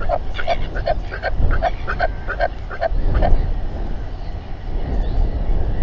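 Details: Evening gathering and fight of royal albatrosses on a New Zealand colony, 27 January 2021, nest camera; rhythmic series of short harsh notes about three per second for three seconds, then fading into roaring wind.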